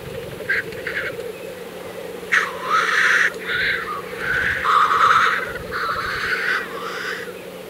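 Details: Black grouse lek in April 2024 in Kologriv Forest, Russia, with steady murmuring bubbling throughout and repeated harsh, breathy hisses, some drawn out over a second, from displaying males.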